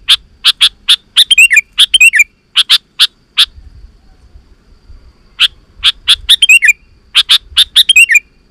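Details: Sooty-headed bulbul sounds meant to draw wild bulbuls to reply: bursts of sharp chirps and brief twittering flourishes, pausing for about two seconds midway before resuming with more chirps and slurred trills.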